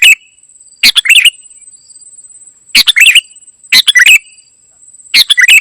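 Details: Kutilang emas, the ruby-throated bulbul, in lively gacor isian song: four quick clusters of bright chirps and short rising whistles, separated by pauses of about a second, over a faint steady high whine.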